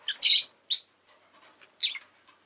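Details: Pet rosy-faced lovebird chirping with loud, rasping squawks: a longer harsh note, a shorter one right after, then another grating burst over a faint clicking background.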